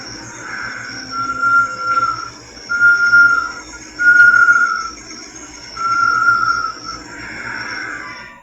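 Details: Great Tinamou (Tinamus major), an Amazonian species: a run of pure, slightly quavering whistles of steady mid pitch, about one every second and a half, over a faint high hiss and low hum.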